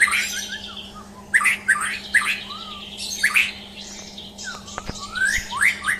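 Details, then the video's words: Champion murai batu, the white-rumped shama, during a mental test: loud clipped whistles and short slurred notes in uneven bursts, with a couple of sharp clicks and a constant low hum. "Tes Mental Murai Batu Juara"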